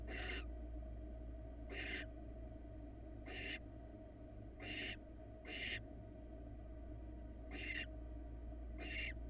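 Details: Florida barn owl nest, female with her two babies at a small mouse delivery: seven brief, harsh hissing screeches spread across nine seconds, roughly every one to two seconds, with a steady low hum beneath.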